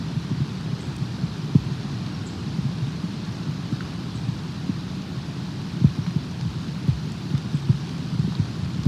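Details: Steady low rumbling noise with faint scattered taps, like wind or distant thunder, and no animal voice heard.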